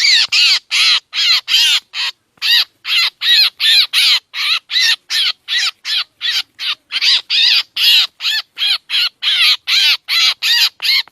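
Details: Lure sound of a black drongo, used by trappers: rapid, insistent series of coarse, chattering squawks, close to three a second for eleven seconds, with only one brief pause near the start.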